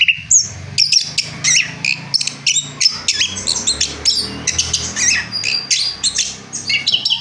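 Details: Orange-headed thrush, a caged bird after its moult, singing a rolling song: a dense, continuous run of varied high chirps, whistles and rattles with no real pauses, plus a faint low hum.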